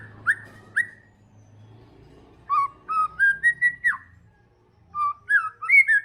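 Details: White-rumped shama (murai batu trotol) sings sparse phrases of short whistled and upslurred notes, separated by quiet gaps of more than a second.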